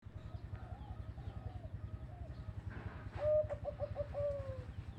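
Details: Zebra dove with a big, deep voice singing a quick staccato string of short coos that ends in a longer, drawn-out coo, over a steady low droning hum.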